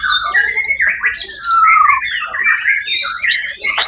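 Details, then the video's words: White-rumped shama, contest champion on 1 October 2023, gives a continuous sweet whistled song with long descending slurs and high sharp upsweeps, loud and unbroken. "murai batu predator juara 1 di ivent Suara Agung 1 okt 2023"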